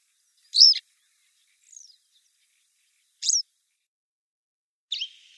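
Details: Grey wagtail calling beside the river Lieser in 2017: four short, piercing, high notes spaced one to two seconds apart, one faint and thin, against a quiet background.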